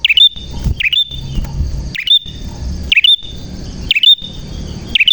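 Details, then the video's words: Prinia singing energetically with a clear voice: bright, downward-hooked chirps in short bursts about once per second, a thin steady whine running underneath and a faint low background hum. "Burung Prenjak Gacor Suara JERNIH"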